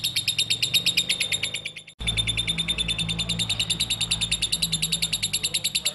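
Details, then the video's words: Lovebird in ngekek chattering song, used to get other lovebirds to sing: rapid, even train of high sharp chirps, briefly broken near two seconds, over a low steady hum. "LOVEBIRD SINGING"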